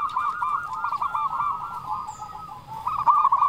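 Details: Local zebra doves, loud-voiced and in full song, used as a lure to stir other doves to sing: dense overlapping chorus of rapid arched coos near one pitch, several birds at once, with faint high tones above.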